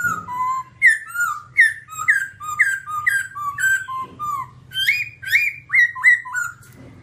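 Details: All-black babbler (Timaliidae) singing a long series of clear whistled phrases, each a short downward slur, about two per second, alternating higher and lower notes, with a faint low hum underneath.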